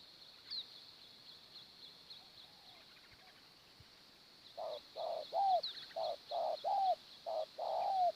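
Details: Spotted dove cooing at a morning trapping site with wild birds foraging on the ground: low, rounded coos arrive in the second half as short and drawn-out falling notes in quick succession. A high buzzing insect drone and faint chirps sit behind.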